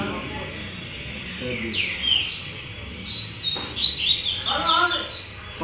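A double-collared seedeater sings fast, high twittering phrases of sharp chirps and trills, with murmuring voices and other birds behind.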